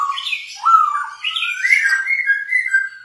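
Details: Masked laughingthrush singing as a training lure for other birds: one continuous flowing whistled phrase that dips, climbs and then holds steady with slight wavering.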